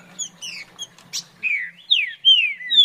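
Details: Green-winged saltator, farrapo song: paired high short notes, then loud clear whistles sweeping downward in quick succession, ending on a long falling whistle.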